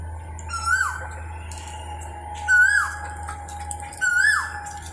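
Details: Koel calling: three loud whistled notes, each rising then sliding up, spaced about two seconds apart, over a steady electrical hum and faint background chatter.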